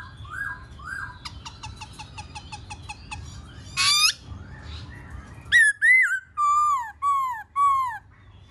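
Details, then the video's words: A Black-throated laughingthrush singing while displaying gives varied song: short whistles, a rapid rattling run, a sharp upswept note, then five loud, clear, down-slurred whistles about every half second. "KHƯỚU BẠC MÁ HÓT MÚA HAY"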